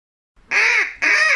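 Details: Duck giving two short, harsh, nasal quacks in quick succession after a brief silence.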